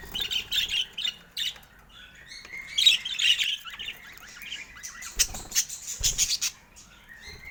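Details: Budgerigar calling during play with its owner: squawky chirps and scratchy warbles at the start, a louder chattering burst near the middle, then sharp clicks and fluttery noise.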